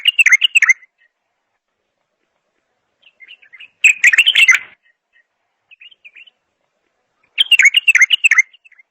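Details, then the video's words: Bulbul song: three bright, jumbled warbling phrases spaced several seconds apart, with a few quiet chirping notes in the gaps. "اجمل صوت بلبل"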